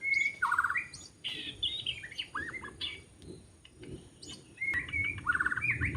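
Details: Forest white-rumped shama heard during bird trapping in Lombok; clear whistled notes and trilled phrases, varied and irregular, with quieter scratchy notes between louder bursts.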